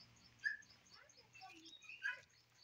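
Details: A wild Egyptian goose (Alopochen aegyptiaca) on a roof gives two brief, harsh honking notes about one and a half seconds apart, with a steady low hum and faint background noise.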